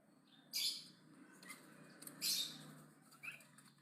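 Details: Javan myna chattering aggressively and loudly: two loud, noisy rasping bursts about two seconds apart, with short softer squeaks and clicks in between.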